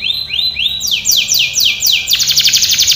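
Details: Canary song for training, starting with rising whistled slurs, then fast steep downward sweeps and a bright buzzy trill at the end.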